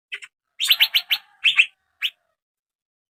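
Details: Asian fairy-bluebird, young male, lure playback meant to prompt singing: a quick run of four loud, bright chirps, then a doubled note and a final single chirp, over a silent background.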